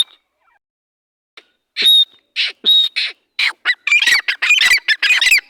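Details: Dhakani teetar, a partridge, opening with a few whistled and rasping notes after a brief quiet spell, then building into fast, loud, grating squawks.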